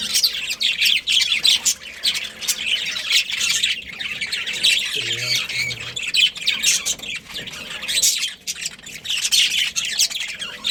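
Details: Budgerigar family colony kept as pets, chattering continuously: thick layer of high scratchy chirps and warbles rising and falling in loudness, a faint low hum midway.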